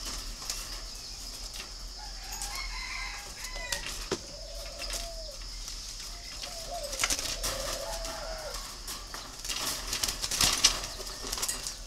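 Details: Captive spotted dove, red-billed and yellow-legged, at a dove farm in Ba Vì, northern Vietnam, giving a pair of low mellow coo phrases mid-clip, with wing flaps, clatter and a constant shrill background hiss.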